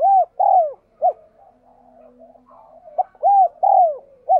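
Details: Rapid 'thúc gù' cooing of a spotted dove, a style used to train decoys and draw in wild doves: a quick run of arched, falling coos with a soft low drone and muttering between bursts.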